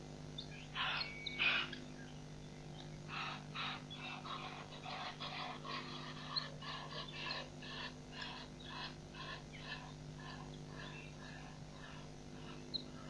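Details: Helmeted guineafowl (Numida meleagris) at Nkorho Pan, 15 June 2007, giving harsh, grating cackles, two loud bursts then a rapid rattling series, over a steady low hum.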